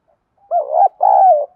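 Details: Decoy spotted dove female calling males in: one clear double coo, the first note wavering up and down, the second longer, steady and mellow, trailing off softly.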